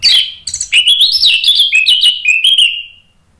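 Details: Orange-headed thrush song used as a lure to provoke other birds into answering: a continuous run of loud, sweet warbled phrases. The notes slide and step up and down, then the song ends in a fading whistle after about three seconds.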